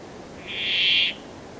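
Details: A single nasal, rasping buzz from a Brambling, steady in pitch and lasting well over half a second, against a quiet background.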